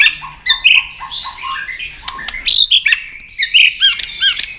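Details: White-rumped shama in fighting song, tail-flicking to challenge a rival; varied rich whistles, chattering notes and high sharp chips delivered rapidly and continuously, with several overlapping bursts near the end.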